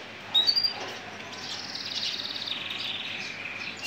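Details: Male Gibber canary, hunched breed, singing: a few sharp high chirps, then a long, even, buzzy trill of rapid repeated notes.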